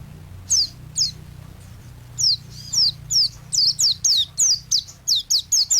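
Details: White-eye, kept as a songbird, singing for song training: a run of high, thin, downslurred whistled notes, sparse at first and then quickening into a steady series of about a dozen bright sliding notes.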